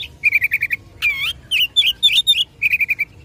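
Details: Oriental magpie-robin singing to provoke a rival: fast rattles of six repeated notes, a harsh rasping burst, rising and falling whistled phrases, then another quick repeated run.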